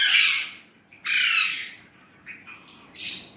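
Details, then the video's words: Indian ringneck parrot kept at home, talking in Urdu/Hindi: two loud, rasping syllables followed by softer, shorter notes. "Indian ringneck parrot amazing talking parrot"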